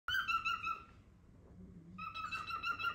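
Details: Pet cockatiel indoors, described as seemingly trying to say a word, giving loud harmonic whistled notes in rapid pulsed runs, one burst near the start, a pause, then another run from two seconds on.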